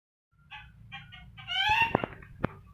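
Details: Rainbow lorikeet imitating a chicken, a recording meant for training other birds: a few short nasal stacked notes, then a louder cackling burst with sharp clicks near the end.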